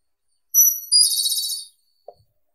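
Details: One song phrase from a Japanese robin: a piercing high whistle, a second whistle just below it, then a quick rattling trill lasting under a second, with a tiny click afterwards.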